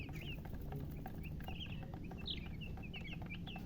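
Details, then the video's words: Just-born chicken chicks peeping loudly, a flock of short high chirps, some slurred up and down, scattered irregularly across the recording above constant low-pitched background hum. "Tot Murgi chicks chirping sounds Just Born Baby Gallina FRACAS Chicks Piar Loudly Sound"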